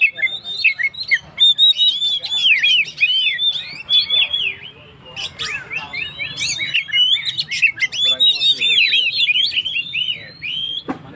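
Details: Full, lively Oriental magpie-robin song, used as a lure for stressed birds: rich whistled phrases, quick slurs and bursts of sharp clicks repeated in a dense, unbroken stream.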